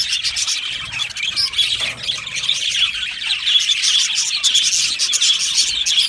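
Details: Budgerigars in an aviary colony, kept as pets: a dense, unbroken wash of high, bright chirps, warbles and squeaky twitters from many birds overlapping, steady in loudness across the six seconds with no other clear sounds.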